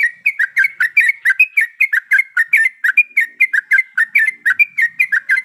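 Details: Yellow-vented bulbul, a female in breeding condition calling the male, pours out rapid liquid whistles in bouncing up-and-down pairs, steady and unbroken throughout.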